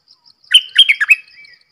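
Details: A Red-whiskered bulbul gives one quick phrase of four or five bubbling, slurred whistles that rise and fall, ending in a short thin trailing note.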